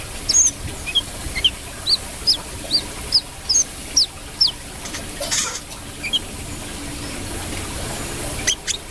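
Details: Brown-throated sunbird singing a steady series of about a dozen sharp, upslurred high notes, roughly two per second, then a pause with scattered clicks and faint chips.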